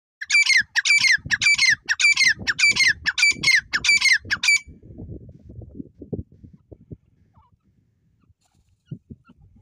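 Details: Dakhni teetar (francolin) calling loudly: a harsh, squawking note repeated about twice a second in a run of eight over four and a half seconds, then quieter low thumps and rustling.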